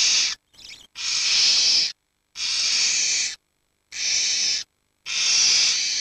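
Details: Barn owl chicks, the oldest 19 days and the youngest 7 days, huddled together for warmth while the parents are out hunting; loud broadband rasping hisses, each lasting about a second, repeated in a steady series with short silent gaps.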